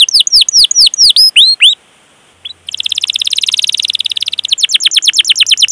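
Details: Canary lure song, rolling 'cuit cuit' style for young or silent canaries: looping downslurred whistles, a short pause, then a long rapid buzzy trill that breaks into quick sweeping notes.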